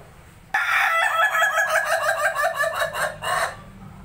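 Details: Ayam ketawa, the laughing chicken: a long crow beginning abruptly, then a rapid run of stuttering repeated syllables like laughter, about a dozen pulses over three seconds, ending with a final burst.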